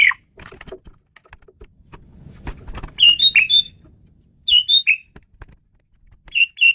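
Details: Caged Asian pied starling singing as a tutor for songbirds: loud clusters of harsh whistled and chattering notes at roughly one-and-a-half-second intervals, with faint clicks and a low background rumble.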